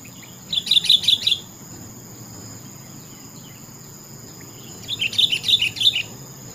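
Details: Sooty-headed bulbul, topcer song style: two matching bursts of four or five rapid, ringing chirps about four seconds apart, over a steady high-pitched hum.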